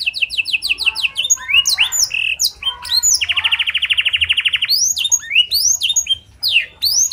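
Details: Canary with a clear blackthroat-style song fill-in, used to prompt other canaries to sing. Repeated high chips lead into a long, evenly pulsed rolling trill, followed by sweeping whistles.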